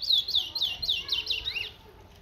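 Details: Towa towa, the chestnut-bellied seed finch of Guyana, singing a rapid run of clear, high, down-slurred whistled notes, about four per second, then trailing off into near silence.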